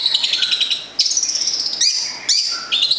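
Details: Local long-tailed shrike (cendet, also called plentet) from Gedong Songo, Central Java, kept as a songbird. It gives loud, fast, high-pitched stuttering trills, broken by short pauses and sharp downward slurs.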